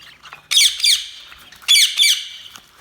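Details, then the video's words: Budgie calling with two loud harsh double squawks about a second apart, each pair sharp and raspy, soft chatter in between. "Budgies Sounds| Budgies Chirping sound"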